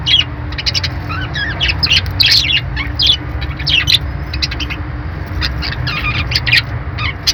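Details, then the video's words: Parakeet twittering: dense runs of high chirps and squeaky warbles, busiest in the first half, then scattered sharp tweets, all over a faint low hum. "budgie birds sounds"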